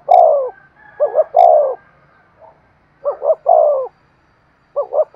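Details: Spotted dove calling in an urgent, fast cooing style used as a decoy for wild birds. Repeated phrases of two short hoots run into a long falling coo, in a clean recording with no other sounds.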